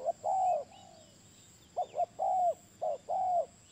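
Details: Low, mellow coos from a spotted dove: a long hoot, then a double clipped note leading into another sustained, slightly downcurved hoot, the pattern repeating over faint background hiss.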